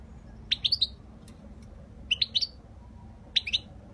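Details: European goldfinch, described as giving flawless Spanish-style song, recorded 2020: three short clusters of bright, quick chirping notes about a second apart, with a quiet background.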